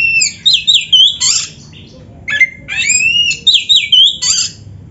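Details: Oriental magpie-robin singing actively with a dense, varied song full of filler phrases: loud bursts of buzzy, harsh notes mixed with clear rising and falling whistles, grouped into two rapid runs around a short pause.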